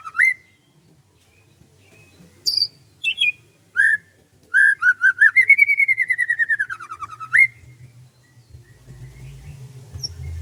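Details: A bird sings at morning in rice paddies: scattered sharp whistles, then a rapid rolling trill rising and falling, ending on an upward whistle; low rumbling noise follows.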